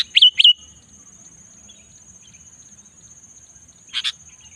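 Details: Sooty-headed bulbul in the afternoon: a fast pair of slurred, downward-bending whistled notes, quiet for three seconds, then a doubled harsher chirp, against a continuous high-pitched hum.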